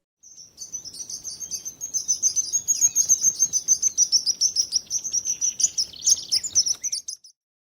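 A sparrow gives a rapid run of high, bright chirps, about three or four each second, sustained for several seconds with no other clear sounds.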